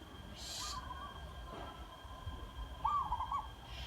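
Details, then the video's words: Zebra dove, a trained caged decoy bird, gives two short bursts of soft, rapid staccato cooing, mid-pitched and rolling, over a steady high insect whine and light background hiss. "นกป่าเสียงดีๆทั้งนั้น ขัน”ว้าวก๊กๆ”แปลกหู"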